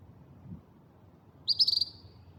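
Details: Couch's kingbird, bright yellow, in Yucatán, Mexico: a short burst of high, sharp twittering notes, a quick stuttered series of about six chips lasting under half a second, over low background rumble.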